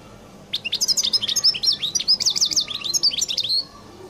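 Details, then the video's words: European goldfinch delivering the distinctive 'qal' song: three seconds of continuous, very high, rapid twittering with liquid, rising and falling notes in quick succession, ending with a thin drawn-out note. "تغريد حسون القل المميز"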